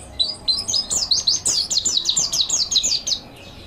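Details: Mountain white-eye song used as a master recording for training: rapid run of high, thin descending chirps and twittering notes repeated in quick succession, steady and busy.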